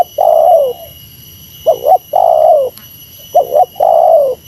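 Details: Spotted dove from Meratus calling against a rival: low soft coos, a quick double note followed by a longer drawn-out coo, repeated; steady high electrical hum in the background.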